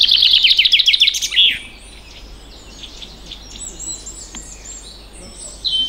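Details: Common chaffinch singing during a birding walk through heath, forest and rocky terrain at the Locarn moors, Brittany, France: one bright, rattling phrase of rapid notes tumbling downward to a short flourish, faint calls from other birds following.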